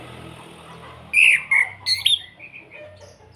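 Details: Kretekan-style calling of an orange-headed thrush from Salatiga, Indonesia, played to stir other birds to sing: loud, high slurred whistles in a short broken burst of three or four notes, with softer twittering trailing after.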